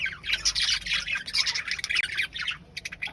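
A parrot gives a busy run of harsh, chattering squawks and bright chirps, mostly high-pitched and nearly continuous, ending with a few short separate notes.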